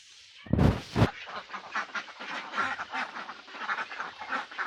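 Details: Ducks from a group of mandarin ducks, mallards and Pekin ducks: two loud thumps open, then a stream of short, nasal quacks follows in quick uneven bursts, with a steady hiss behind.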